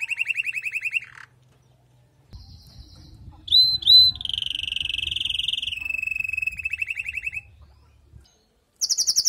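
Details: A female canary calls to stimulate the male after his moult. A fast buzzy trill is followed by a pause with faint low rumble, then two sharp upslurred chips, a long rattling trill and another burst at the end.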